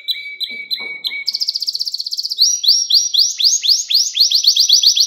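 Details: Domestic canary song recorded to train young canaries: short whistled notes, then a fast buzzy trill, then a series of loud rising sweeps repeated about four times a second.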